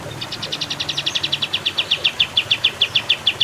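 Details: Olive-winged bulbul giving a fast run of sharp, down-slurred chirps, about two per second and steadily repeated, with a low rumble of passing traffic underneath.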